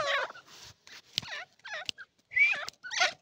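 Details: Irani partridge producing harsh, buzzy, looping notes and one clear rising squeal in quick, uneven succession over a few seconds, with sharp clicks between.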